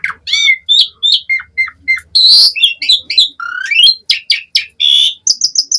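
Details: Asian pied starling, a lively singing bird, in full varied song: rapid chattering series of whistles, squeaks and harsh rasping notes, some repeated in quick triplets, high and shrill throughout.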